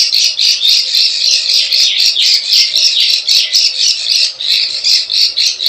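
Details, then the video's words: Rough, loud plain prinia chatter from a klik klik ciwah lure for attracting wild birds, harsh buzzy notes pulsing around four times a second in a dense unbroken run. "SUARA PIKAT PRENJAK SAWAH_KLIK KLIK_CIWAH"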